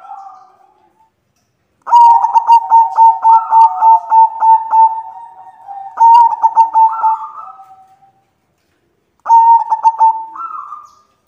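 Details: Calling female white zebra dove trying to draw a male, giving long bursts of rapid, rhythmic pulsed cooing that end in a rising tail note, repeated after short silences.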